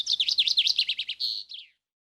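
A Snow Bunting's quick, high twitter of rising and falling notes runs for under two seconds and ends in a brief steady note.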